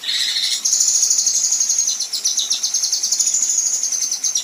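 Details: A female kinoi in 'besetan' and 'tembakan kasar' style, a tutor recording for contest birds, opens with a brief rasping note, then breaks into a long, very high, rapid metallic trill that runs to the end.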